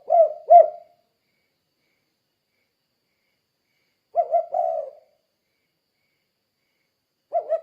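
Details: Spotted dove calling kuk-kuk, used to stimulate other doves to respond; sparse pairs of low coos, the second note slightly drawn out, with long silences between phrases.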